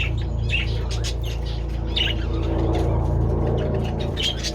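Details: Budgies feeding on treats in the sunshine, 27 February: a few scattered short chirps and a brief scratchy phrase stand out against a strong steady low-pitched hum.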